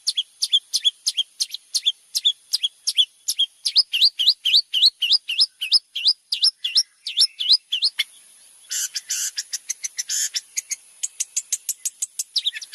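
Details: Long-tailed shrike singing as tutor material for white-rumped shama: a rapid, fairly even series of sharp upswept chip notes, about three per second, then a stretch of dense buzzy rattling pulses.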